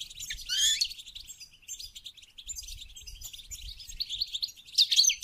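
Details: Goldfinch song aimed at encouraging mating, with a loud warbling burst of rapid notes early on, long continuous twittering chatter, and a bright flourish at the close.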